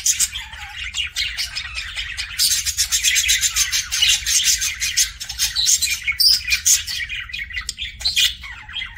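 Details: Kissing sounds of a pet budgie: a continuous stream of sharp clicks, high chirps and rasping warble, loud and steady throughout, with faint low background hum.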